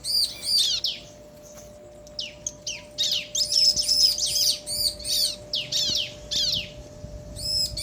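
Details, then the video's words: Male and female bar-winged prinias trade calls. Bright, high-pitched chirping phrases repeat rapidly, about two or three per second, with some buzzy trills, over a constant low hum. "Suara Ciblek Jantan dan Betina Saling Bersahutan - Bikin Ciblek Lain Emosi & Gacor"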